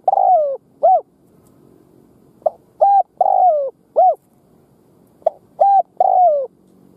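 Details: Decoy spotted dove cooing to stir and lure wild doves: mid-pitched phrases of a brief note, a clipped note, then a longer falling coo, repeated three times roughly every 2.5 seconds against a quiet background.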